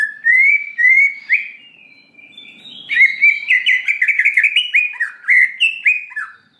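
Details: Greater green leafbird, played to provoke an emotional response, gives a few clear slurred whistles, a short gap, then a fast, jumbled series of chirping, warbled notes rising and falling.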